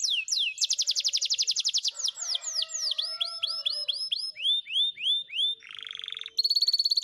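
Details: Timbrado canary used as a training song, opening with a fast ringing roll of rapid repeated notes, then a series of downward-sweeping whistles, a short buzzy stretch and a closing high metallic trill.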